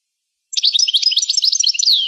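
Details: A rare European goldfinch recording from 1985, with a brisk burst of high, jumbled twittering notes and trills that ends on a slurred, descending whistle.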